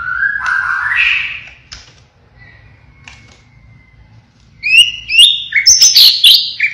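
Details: Pied 'blorok' White-rumped shama delivering 'siren' song: a rising, wavering whistle, a long thin quiet tone, then bursts of sharp, high, upward-flicking whistled notes.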